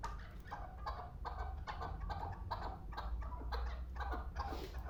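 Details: Chukar partridge of the Pamir, a two-year-old hunting bird, repeating harsh, broad clucks roughly every half second through the clip over a low steady hum.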